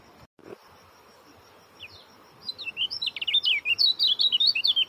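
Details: High-pitched Oriental white-eye song: after a brief dropout and quiet pause, a few chirps lead into a fast, steady stream of twittering notes.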